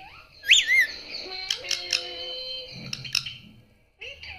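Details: Pet parrot being taught to say "mummy papa" indoors: a sharp high whistled squawk, then nasal, buzzy voice-like syllables held at a steady pitch, with short clicks and a brief rising note at the end.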